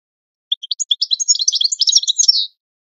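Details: European goldfinch singing a training song meant for other birds to learn: a two-second run of fast, liquid, tinkling twitters that starts with a few spaced chirps and ends in a buzzy trill, with no background sound.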